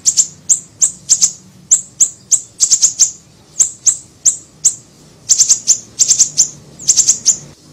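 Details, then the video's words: Siri-siri bird, small, recorded as a lure and training track: sharp, very high chirps in quick clusters of two to four, separated by short pauses, over a faint low hum. "PANCINGAN PIKAT SUARA BURUNG SIRI SIRI KECIL"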